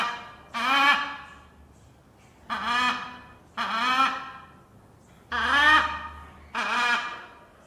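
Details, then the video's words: A macaw gives five loud, harsh, raspy squawks, each rising then dropping, spaced about one to two seconds apart, over a faint low background hum. "talking parrot#macaw"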